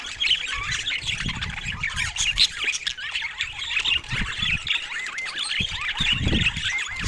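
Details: Budgerigars chattering together: a busy stream of warbled, squiggly chirps and quick up-and-down whistled notes overlapping without pause, with scattered low thumps and knocks underneath.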